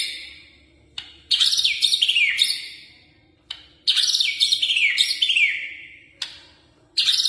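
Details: White-rumped shama singing energetically: loud bursts of rich, rapidly repeated whistled and slurred notes, descending sweeps and sharp clicks, delivered in two long phrases separated by brief pauses; a faint low hum underneath.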